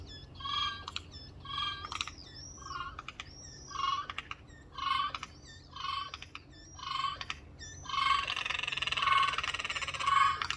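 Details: Windowsill chorus of four Eurasian jays: a string of about nine short nasal calls with a low tonal base, spaced about a second apart, followed by a dense rasping screech over the final few seconds.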